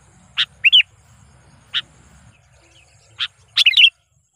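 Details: Sooty-headed bulbul lure call for provoking wild opponents: sharp isolated chips alternating with short, loud, bubbly warbled phrases, over a faint low hum.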